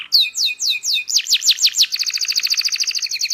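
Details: Canary in long continuous song, a coaching recording for young birds learning to sing: four clear downslurred whistles, then loud rising strokes, then a quick high trill rattling on steadily to the end.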